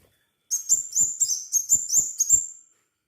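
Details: Crimson sunbird in full song, played as a lure to get others of its kind singing: seven rapid, piercing, high-pitched chirping notes strung close together over about two seconds, fading at the end, with no other sounds.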